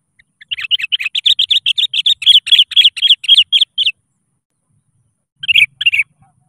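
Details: Sooty-headed bulbul in lively song, calling rivals and used as a lure to get other bulbuls singing: a rapid run of bright, chirpy notes about four per second for three seconds, a pause, then two short closing notes.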